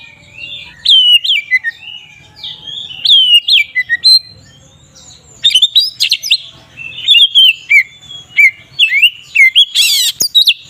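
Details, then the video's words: "Ngeplong" song of an Oriental magpie-robin, aimed at provoking rivals: long sequence of varied whistles and chirps, with fast chattering phrases in the second half and a loud harsh rasp near the end. "Suara burung Kacer ngeplong ini paling ampuh untuk pancingan Kacer agar emosi"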